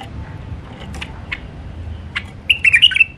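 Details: Wild White-eared bulbul in Alwazi style: scattered soft clicks and chips lead into a quick, rich warbled phrase near the end, over a low hum.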